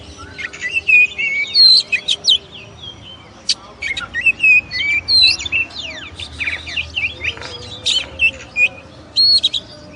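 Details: Oriental magpie-robin, called kacer, a black long-tailed bird, in a varied song of clear whistled notes and sweeping slurs with sharp chips, phrases bursting irregularly about every second over a low steady hum.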